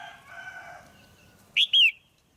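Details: Female red-whiskered bulbul, a cage bird, calling to stimulate a male or for pairing. A lower, drawn-out harmonic call from another bird comes first, then two loud whistled notes, the second long and falling.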